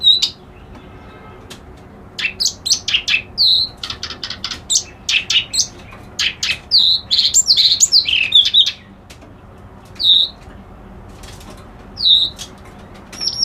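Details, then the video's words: A reed warbler, called kerak basi alis putih locally, sings a varied, scolding chatter of clicks, rasps and high falling whistles, with busy bursts separated by quieter spells of single notes. "Suara Burung Kerak Basi Alis Putih"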